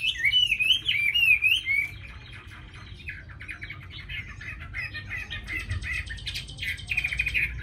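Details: Tame Chinese hwamei singing in Hanoi, Vietnam; strong undulating whistled notes open the phrase, followed by quieter rapid chattering notes and a bright rising series near the end.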